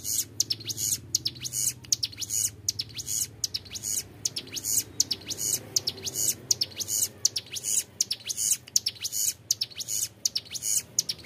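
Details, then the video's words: Extended 'ngebren' singing by a young Bar-winged Prinia, kept as a tutor recording: evenly spaced clusters of piercing high buzzes and quick up-slurred squeaks continue throughout. "CIBLEK GUNUNG MUDA GACOR NGEBREN PANJANG SUARA JERNIH"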